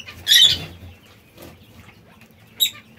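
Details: A zebra finch among birds pecking seeds and salad gives a loud, short nasal call, followed by a quiet spell with faint sounds and a second sharp call near the end.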